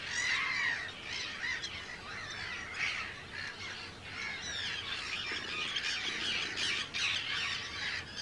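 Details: Hundreds of Arctic terns at a breeding colony on Rottumerplaat, Groningen, 4 June 2023; loud, raucous, rasping screams from nearby birds over a busy background chorus.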